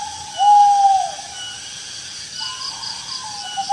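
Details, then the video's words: Owl calling in rice fields: a single drawn-out, steady whistled note lasting about half a second, then softer wavering notes near the end, over a constant high insect-like hiss. "suara burung hantu di sawah/the sound of an owl in the fields"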